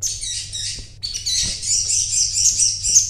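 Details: Crimson sunbird (sogon) in animated 'gacor' song after being bought: an unbroken high, hissy twittering with fast chattering notes, one brief break about a third of the way through, over a low hum.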